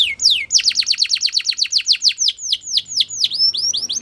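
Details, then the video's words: A Spanish Timbrado canary sings a training song: a fast rolling trill of about nine sharp descending notes per second, then slows into varied, spaced whistled notes. "Spanish Timbrado Song"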